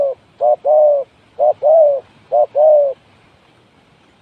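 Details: A spotted dove used for luring coos loud and close: three phrases, each a brief note followed by a longer, slightly falling croon, then quiet background.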